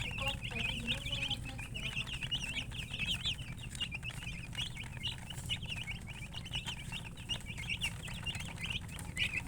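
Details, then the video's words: Continuous high chicken chirping, with rapid wavering peeps from several birds overlapping almost nonstop, a few lower notes early on, and a low background rumble. "silly chicken chirping sounds with murgi hen color chicken"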